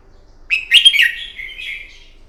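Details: Morning fighting song of a wild-caught red-whiskered bulbul, played to train a bird: a single loud, bubbling whistled phrase that trails off into a softer, level warble.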